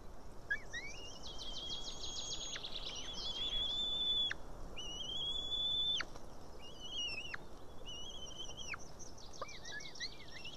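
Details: Nest-cam recording from Estonia, 8 June 2018 evening: a white-tailed eaglet too young to tear its fish calls for help being fed, giving a series of high, sustained whistles, some trilled and stuttering, each ending in an abrupt drop.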